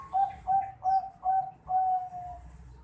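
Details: Bangkok zebra dove youngster, 4.5 months old, calls four short, evenly spaced whistled coos, then stretches into one long level note that slowly fades, all at the same mid pitch.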